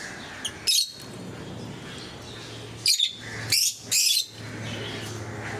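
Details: Pet lovebirds of various colour mutations, kept in a group at home; a few sharp, harsh, high shrieks come in short bursts with quiet gaps between them over a low steady background hum.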